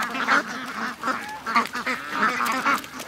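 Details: Morning rush of over 700 ducks and geese to the lake; loud, repeated nasal quacks and honks come in quick bursts, about two each second.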